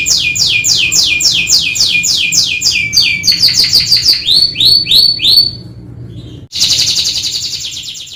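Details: Canary song, 'kenari gacor atas bawah' style: quick descending trilled sweeps, a run of faster higher notes, a brief near-silence, then a loud buzzy rolling trill that fades.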